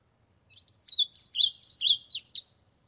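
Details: An ultramarine grosbeak sings to warm up in the sertão, giving about eight clear whistled notes in two seconds, alternating higher and lower pitches in a bouncing, slurred phrase with a faint low hum beneath.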